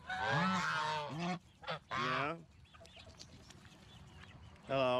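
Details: Farm goose letting out rich, nasal honks, a long one then a shorter pair, a quiet stretch with faint background sounds, and a final loud honk.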